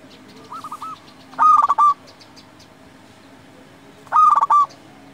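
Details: Local Indonesian zebra dove singing actively, a recording used to provoke rival doves into answering: a faint cooing phrase, then two loud, stuttering, trilled coos near five seconds apart over a steady low hum.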